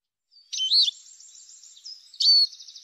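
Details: Arabian babbler, known locally as al-Na'ar, recorded for bird training and hunting: two loud, high, twisting chirps with a thin buzzy trill running between them, in otherwise clean silence.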